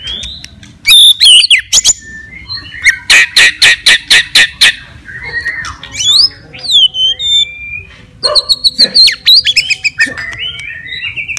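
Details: White-rumped shama fighting song to stir up other shamas: harsh rapid rattling notes at a fast rhythm, followed by mixed whistles, slurred sweeps and chattering phrases.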